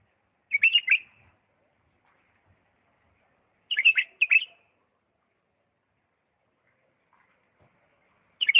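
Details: Diyala bulbul in 'lisanat' song style, giving brief bubbling warbled phrases, a single burst, then a paired burst a few seconds later, and the start of another at the end, with silence between.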